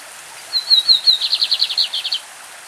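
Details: Lined seedeater singing the classic song of Brazil's champion birds: a few thin, high whistles, then about ten rapid, rhythmic, buzzy notes slurring downward. A soft background hiss from a stream.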